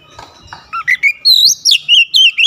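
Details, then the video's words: Oriental magpie-robin firing off a rapid series of loud whistled phrases, each a bright slurred note rising and dipping, about eight in under two seconds after a few softer lower notes. "KICAUAN KACER BUKA PARUH LEBAR TEMBAKAN PEDAS"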